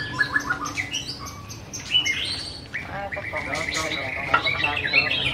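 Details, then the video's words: Song of a white-rumped shama: short repeated chirps, then a longer whistled phrase and a rattling trill, ending with bright high notes. "BIRD SINGING| Bird White-rumped shama - Beautiful Birds,Dancing And Singing Chirping Sounds Great"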